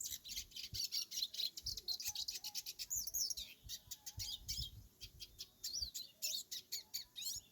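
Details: Free-living hooded siskin on a small farm singing: a fast, continuous twittering of high, thin chirps and short trills in rapid bursts, with occasional rising whistled notes and some low background rumble.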